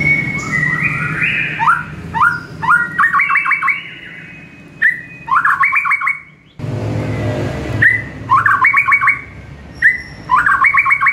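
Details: Morning song of a white-rumped shama, a master used to train caged birds: gliding whistles, short rising notes, and repeated fast bubbling trills about every two seconds, with low background rumble.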